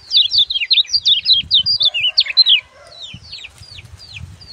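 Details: Sunbird called kecial kuning, singing in gebokan style, meant as tutor song for training birds. A loud, hurried string of zigzag twittering notes for two and a half seconds, then quieter downslurred whistles and low thumps.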